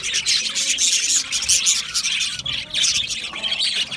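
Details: Budgerigars in a busy, overlapping chorus of sharp squawks and high chirps, with thin whistled squeaks rising above the steady chattering.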